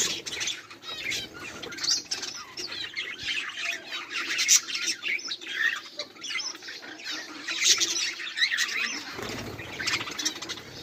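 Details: Chattering budgerigars recorded on 18 July 2023 give a continuous stream of scratchy warbles and sharp chirps from several birds at once, busy throughout and slightly quieter near the end.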